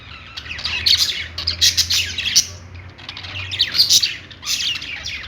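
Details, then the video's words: Singing budgerigars on a perch: two main bouts of loud scratchy warbling and chirps separated by a quieter stretch, with a faint low drone beneath. "budgies singing on perch | parakeet chirping sounds"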